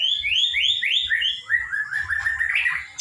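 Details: Young white-rumped shama at the spotted juvenile stage, from Kota Agung, Medan, singing a series of clear rising whistled notes repeated about four times a second, then sliding into a lower, rapid, slurred warble.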